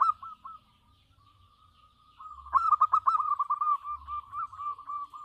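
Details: Local zebra dove singing strongly: soft drawn-out coos give way to a loud, fast stuttering run of rolling notes that continues through the rest of the clip.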